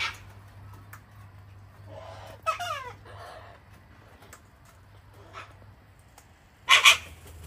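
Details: Wild cockatoos from a flock being hand-fed on a deck at an Australian home in cold, wet winter weather; a few harmonic squawks midway, then a sudden harsh broadband screech near the end over a low steady hum.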